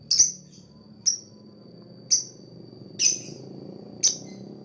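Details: A fighter lovebird gives five shrill, sharp chirps, about one each second, over a steady high whine like a cricket or electrical hum; this chirping is used to attract other birds.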